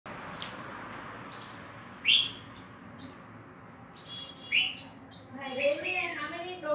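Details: Female five-coloured sunbird, kept as a cage bird, hopping about at the start of pairing for the coming breeding season; short, sharp high chirps at scattered intervals, a few quicker notes near the end, with a man talking throughout.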